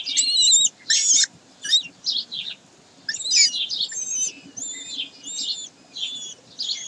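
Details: Common kestrels at a German site on 22 May 2023 give shrill, harsh, high-pitched whining bursts at an uneven pace of roughly one to two per second, over a faint low hum.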